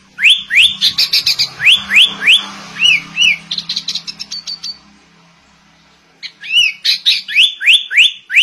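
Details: Sooty-headed bulbul in a shama-imitating song: repeated steep rising whistled notes mixed with buzzy chatter, a pause of about a second, then another string of upslurred whistles; a low steady hum runs underneath at first.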